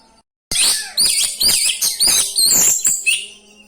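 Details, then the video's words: Oriental magpie-robin (kacer) in a rolling song with fill-in phrases to provoke other kacer: after a short silence, a dense run of loud shrill whistled and chattering notes, about two per second. "ngeroll ngeluarin isian, 💯 Efekti buat pancing emosi, dongkrak 🐦 burung kacer"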